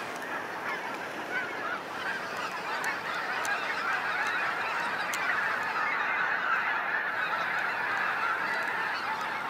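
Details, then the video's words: Sunset fly-out of snow geese at Sacramento National Wildlife Refuge: a blurred mass of honking from a vast flock, set against a steady low rushing roar of wind-like noise. "Waves of Snow Geese Sunset Fly-out"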